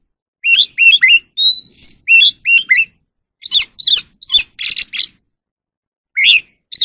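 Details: Evening song of an oriental magpie-robin: clear whistled slurs, one long sustained whistle, then scratchy, chattering phrases separated by short silences.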